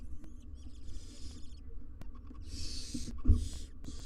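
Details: Wild barn owl nestlings and parents in their nest box, filmed on live cam: soft stuttered hiss, a pause, then loud drawn-out rasping hisses back to back, with a knock and steady low hum.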